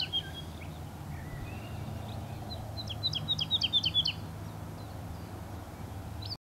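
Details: A breeding woodlark in Luxembourg vineyards sings a quick run of about eight liquid, fluty notes, falling slightly in pitch, after a few softer opening phrases, over a steady low rumble.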